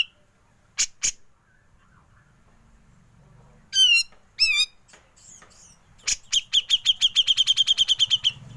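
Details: Grey-cheeked bulbul in a training recording for songbirds, ngepik style: two loud harmonic, wavering whistles, then a quickening run of sharp high ticks repeated several times per second, with faint low background hum.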